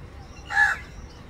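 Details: A crow calls for its partner with one short, harsh caw lasting about a quarter second, standing out clearly against a quiet low hum.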